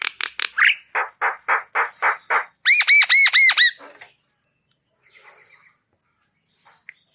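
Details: Javan myna singing energetically with a full repertoire, used to stimulate stressed or quiet mynas: a series of harsh repeated notes, then a fast run of bright ringing arched notes, fading to faint chatter.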